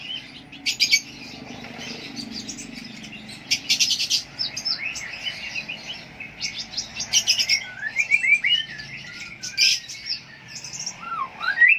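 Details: Lovebird (konin) from Jambi, Indonesia, in a lively chattering song of sharp high chirps, trills and rapid twittering bursts, with occasional lower slurred notes, continuous and clear throughout.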